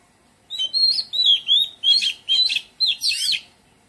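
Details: Oriental magpie-robin singing melodiously in a garden: sweet, sliding whistled phrases repeated in quick succession, the final ones fuller and more tangled, against a quiet background.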